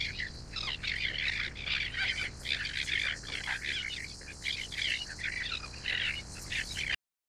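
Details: Greater crested terns (Thalasseus bergii) give a dense, unbroken chorus of harsh, grating, overlapping calls, like a busy colony, for about seven seconds.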